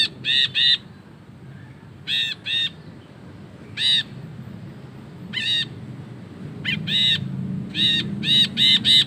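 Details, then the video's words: Ashy bulbul giving a long ngekek chatter, recorded as master material: clusters of two or three rasping notes separated by pauses, then quickening into a dense burst of five harsh notes near the end, over low hum. "BURUNG BRINJI KELABU GACOR NGEKEK PANJANG"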